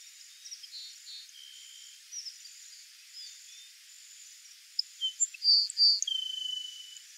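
A Grassland Sparrow gives a few sharp, high notes followed by a thin, drawn-out whistle, over faint high chirps from other birds or insects.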